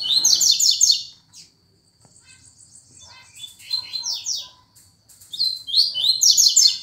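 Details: Lined seedeater singing tuituí quickly: rapid series of high, stacked descending chirps in bursts at start, middle and end, separated by thin buzzy trills and brief near-silence.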